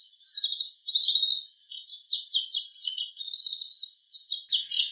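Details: Bull-headed shrike copying other birds' calls in a long, continuous run of rapid chattering and twittering notes, scratchy and varied, with a short pause early on.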